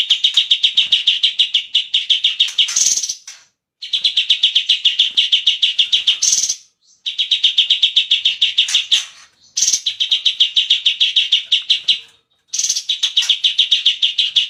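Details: Cucak cungkok bulbul singing in long bursts of rapid, buzzy chattering notes, each run several seconds long and separated by short pauses, with occasional sharp higher chips between runs.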